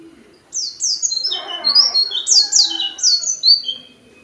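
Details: Oriental white-eye singing loudly in the short-burst tembakan pendek style: rapid series of piercing, high, downward-sliding whistles, layered with lower chattering warbles, delivered almost continuously for about three seconds.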